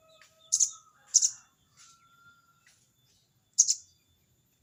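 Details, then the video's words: Rival-calling sogon bird giving crecet notes: two grating high bursts close together, a pause with a faint thin whistle from another bird, then a third harsh burst. "burung sogon bunyi crecet cerecet!!sogon manggil lawan!!"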